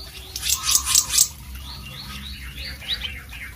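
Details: Very active blue whistling thrush: loud bursts of harsh, noisy high notes, followed by softer, quick rising chirps, over a low background rumble.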